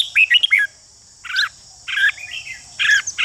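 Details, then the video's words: Red-whiskered bulbul call used to excite rival bulbuls into competitive song: a quick cluster of bright whistled notes, then three separate harsh, rasping bursts spaced about a second apart, steady high hum throughout. "Chào mào ché kích thích chào mào đấu giàn căng lửa"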